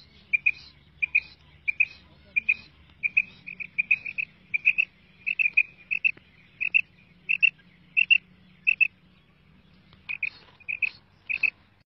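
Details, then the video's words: Female quail uttering a long series of sharp, high two-note calls, evenly spaced about twice per second, with a brief pause near the end and a low hum behind. "madi batair ki awaz"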